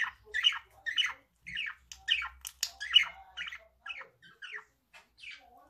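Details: Warbling chatter from a male budgerigar, made of short squawky chirps in quick groups that thin out into sparser, softer notes near the end.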